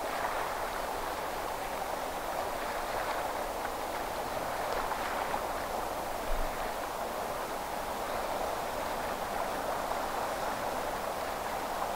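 A steady broadband rush like running water or distant traffic fills the whole recording, with no animal calls standing out.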